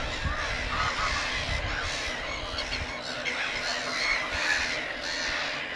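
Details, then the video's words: Black-headed Gull colony at Lake Hornborga with neighbouring Great Crested Grebes; a steady wash of scratchy, overlapping gull cries from many birds, the individual calls partly blurred by low rumbling background noise. "Black-headed Gull colony at Lake Hornborga"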